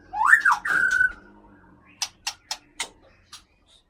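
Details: Captive white-rumped shama from Aceh, Gunung Leuser area, in a cage. A loud looping whistled phrase is followed by a sustained whistle, then four or five crisp clicks spaced about a quarter second apart over a faint low hum.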